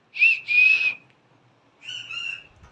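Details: Green-cheeked conure kept as a pet, calling its owner: a quick rising whistle joined to a longer flat whistle, then a softer, slightly buzzy level note after a short gap.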